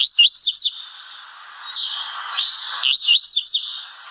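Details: Blue-black grassquit, one of several song types: quick high slurred notes in short clusters that rise and dip, over a continuous high-pitched hiss and a softer lower buzzing band.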